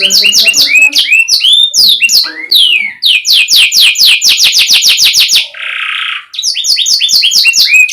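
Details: Loud, clear canary tutoring song for young birds: rapid sequences of descending slurred whistles repeated several times a second, a brief low buzzy roll, then more fast repeated downslurs.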